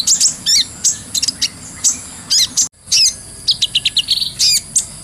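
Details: Masteran song of the kolibri ninja, or brown-throated sunbird, clear and gacor; high buzzy trills and sharp chips in clusters, a brief silence midway, then a quick sequence of short stepped whistles.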